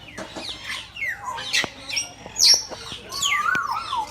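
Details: Lots of birds at a safari park in Gazipur, Bangladesh, making loud shrill squawks and rising and falling whistles, closely packed, with a sliding whistle near the end.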